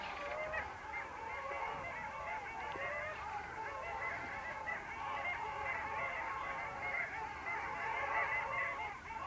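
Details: Flock of long-tailed ducks calling at the Vistula river mouth on 8 February 2013, many birds giving wavering, nasal notes that blend into a steady babbling chorus throughout.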